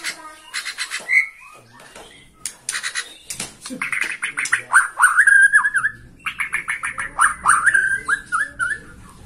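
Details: Bornean white-rumped shama, caged, excited by a rival; dense harsh chattering clicks mixed with short slurred whistled notes in fast irregular bursts.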